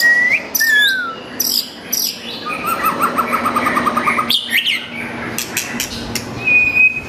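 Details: Caged white-rumped shama, murai batu, singing hard to call out a rival; clear whistled slurs, then a rapid trilled series of repeated notes, sharp high chips and a closing steady whistle, with a low background hum.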